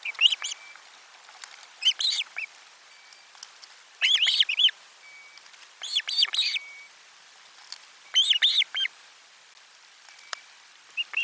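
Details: Osprey at nest 4 at lunch with fish, 12 July 2022: short bursts of three to five piercing whistled chirps repeated about every two seconds, separated by quiet gaps with faint thin whistles.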